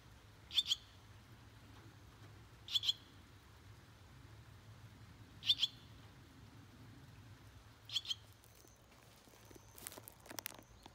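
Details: Swallow chicks, six in a nest at a rural Japanese house doorway, eighteen days after hatching; brief high paired cheeps roughly every two and a half seconds, then rustling and clicks near the end.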